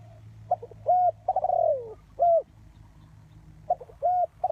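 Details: Spotted dove used as a trapping lure. Short stuttering notes lead into a clear coo, then a long descending coo and a crisp final note. The pattern starts again at the end.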